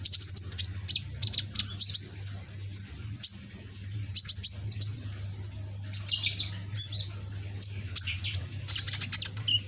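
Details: A caged juvenile ninja sunbird with a red and green back, practising its song, delivers bursts of very high, scratchy chirps and quick trills separated by short pauses, over a constant low electrical hum.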